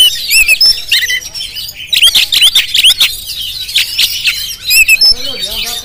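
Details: Oriental magpie-robin of the Jampang variety on a GoPro recording, giving clear whistled upslurs and piercing notes mixed with harsh squawky chatter. A lower wavering call appears near the end.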